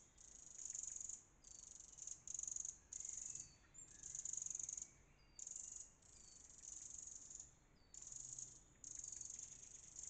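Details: Wren mobbing a fox that is sniffing near its hidden nest under log roots, while it flies from side to side to distract it: a run of high, dense rattling bursts of about half a second each, repeated roughly every second with short gaps.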